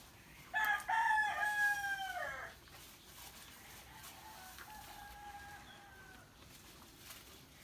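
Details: Roosters crowing at one another in the morning: a loud near crow lasting about two seconds that falls away at its end, then a fainter, more distant crow answering from around three to six seconds.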